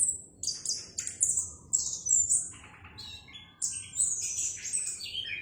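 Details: Orange-headed thrush in active song, its clear voice pouring out high chirps, buzzy trills and descending whistled notes in short bursts over a soft background hiss.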